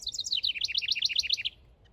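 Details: House wren male in a backyard, at work building a nest, gives a rapid cascade of sharp, high notes that drops in steps and then settles into a quick, evenly pulsed chatter before stopping abruptly.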